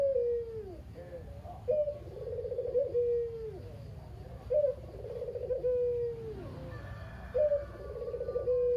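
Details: Kept local Barbary dove, a lone male whose mate died, very talkative, used as a lure to get other doves calling. Three coos, each a short high note, a rolling burr, then a long falling tone, roughly every three seconds, over low hum and faint chirps.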